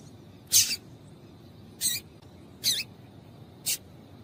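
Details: Female double-collared seedeater calling to excite males into singing: four short, high, slightly buzzy chip notes, unevenly spaced about one second apart, with a quiet background.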